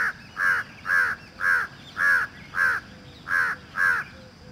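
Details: Loud peacock calls, eight short harsh nasal honks repeated about twice per second in an even rhythm, with only a low background hum between them.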